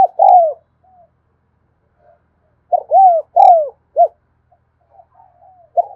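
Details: Spotted dove cooing steadily in the 'thúc gù' manner, filmed one afternoon: short arched notes followed by drawn-out falling coos and a clipped final note, phrases separated by quiet pauses with faint murmurs.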